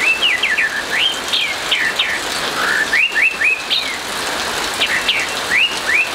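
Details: Morning 'ngeplong' song of an orange-headed thrush: bright, clear whistled notes in rapid rising and falling slurs, grouped into short runs with brief pauses, while rain patters steadily behind.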